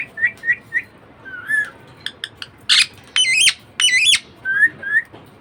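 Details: Pet budgie parakeet starting with repeated soft chirps and clicks, then three loud harsh wavering squawks about every half second, ending with two small curved chirps.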